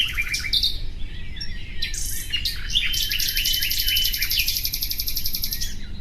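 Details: A common nightingale sings short whistles, then launches into a long, very fast, high rattling trill of repeated notes, with low-pitched background noise throughout.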